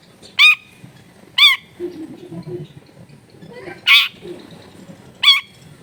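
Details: Long-tailed shrike, a lively singer whose recording is meant to provoke other shrikes to answer. Four loud, grating notes with a nasal edge, spaced one to two seconds apart, with faint low murmurs between them.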